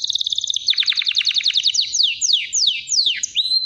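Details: Singing canary runs a quick high trill into a series of bold downward-sweeping whistles, each slurring from high to low, ending on a rising note.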